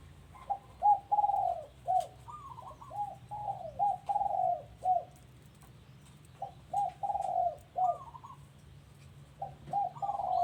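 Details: A dove at a house coos in a long run of quick, rolling notes lasting about five seconds, then starts shorter repeated phrases after a pause, with faint clicks in the background.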